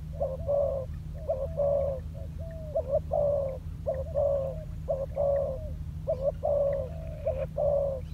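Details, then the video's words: Spotted dove decoy bird training on the ground, giving repeated short phrases of soft, rolling coos, roughly one phrase a second with uneven spacing, over a constant low droning hum. "លលកធ្នាក់ចុះដីចេញក្បាច់បណ្តើរៗហើយ - Pikat Terkurkur trianing on land"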